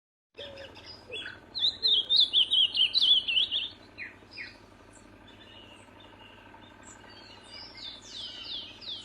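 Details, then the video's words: Ultramarine grosbeak singing in nature: a warbled phrase of quick, wavering whistled notes lasting about two seconds, then quieter, scattered chirps from other birds over a steady low hum. "Azulão cantando na natureza"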